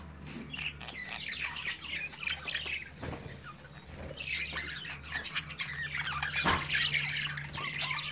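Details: Budgerigar chicks at play in their cage with parents watching: soft, continuous warbling chatter and squawks over a steady low hum, with one louder burst near the end.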